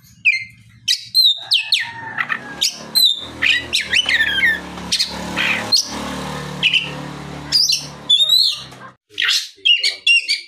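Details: Oriental magpie-robin singing in the afternoon as a lure to provoke other magpie-robins into answering; loud varied whistles, harsh squawky notes and rapid chirps in quick bursts over a steady low engine-like hum.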